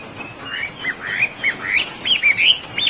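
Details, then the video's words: Oriental magpie-robin, or wambi, singing softly: quiet slurred whistles and short chirps build into brighter, sharper notes toward the end, with light background hiss. "kompilasi suara wambi gacor komplit"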